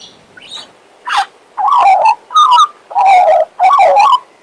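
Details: Soft high whistles open, then a pet male Western Australian magpie gives four strong, mellow, warbled phrases at a steady pace, each with a rich, slightly bubbling tone.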